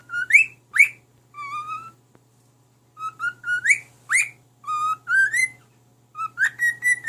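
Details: Male pet cockatiel whistling songs such as nursery tunes to his unimpressed mate: a run of clear whistled notes, some swooping sharply upward, in phrases about two a second with a short break, over a low electrical hum.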